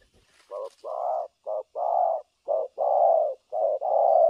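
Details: Decoy spotted dove being tested for trapping, cooing nonstop in the thổ cấn sấm nước style: low mellow paired coos, each a short note followed by a longer drawn-out one, about once a second.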